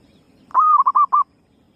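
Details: Lure call of a female zebra dove, used to attract birds: one sustained coo running into three quick, evenly spaced short coos, each pure and mid-pitched, with faint low rumble underneath.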